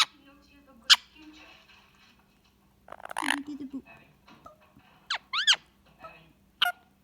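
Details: Pet Indian ringneck parakeet chattering while relaxing with its owner in the evening: scattered sharp broadband chips, a harsh harmonic squawk near the middle, then quick upward-sweeping whistled notes and a final chip.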